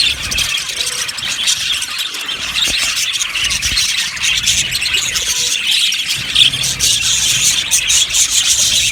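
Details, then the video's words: Budgerigars in an aviary colony squealing and chattering, harsh high squawks mixed with rapid twitters, the busy chorus running unbroken with a brief louder squeal near six seconds. "Beautiful Budgies sounds | Budgies chirping sounds"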